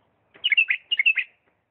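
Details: Bulbul from Diyala singing in the lisanat song style: a short phrase of six clear, fluty whistled notes, alternating higher and lower, delivered in two quick groups of three.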